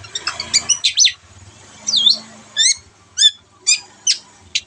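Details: Long-tailed shrike song intended to prompt quiet birds to sing. After a muddled start with faint low hum, clear separate high chirped notes come roughly every half second, each sliding down sharply.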